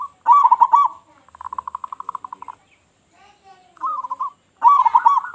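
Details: Local zebra dove with a loud voice, calling to attract other zebra doves: a strong stuttering coo burst, a regular rattling pulsed trill of about a dozen beats, a softer rolling phrase and another loud burst.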